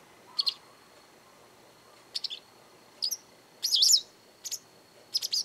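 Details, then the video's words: From a garden, a frequently calling Japanese wagtail delivers loud, strident, buzzy bursts of two or three notes, one longer twittering phrase in the middle, with pauses between. "よく鳴くセグロセキレイ Japanese wagtail"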